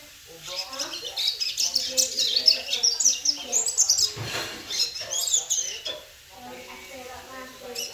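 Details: Young double-collared seedeater, ten months old, in the United States, delivering quick high twittering notes in dense bursts, briefly pausing near the end, while a person speaks quietly underneath.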